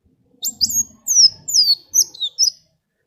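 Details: Singing sunbird (kolibri wulung), played to make other birds sing along: a string of high thin whistles, several long and slurred downward, delivered in quick uneven bursts. Faint low rustling underneath.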